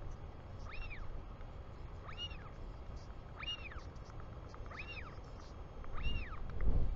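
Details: Royal albatross chick, New Zealand, 24 July 2020, as its father comes home; five clear rising-and-falling whistled peeps spaced evenly about 1.4 seconds apart, over wind, with a gust at the end.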